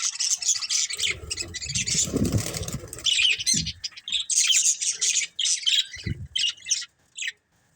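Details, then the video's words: A family group of colourful pet budgerigars chirping: dense, overlapping high squeaky chatter almost without pause, with bursts of low fluttering wingbeats in the middle and near the end. "Cute Colourful Budgies Chirping Sounds"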